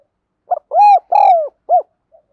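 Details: Spotted dove, used as lure and training audio, a clear loud phrase: a short opening note, two long hollow coos, then a rounded final coo.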